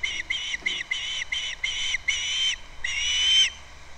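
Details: Osprey calling at a nest on Captiva on February 2nd, picked up by a live nest camera: a rapid run of short, clear whistled notes, about six in two seconds, then two longer drawn-out whistles that rise slightly.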